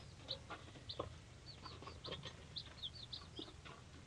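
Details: Three-day-old hatchery chicks of mixed breeds, from Leghorn and Polish to Rhode Island Red and Black Australorp, peep together: short high whistled notes, some rising and some falling, overlap rapidly over a low steady rumble.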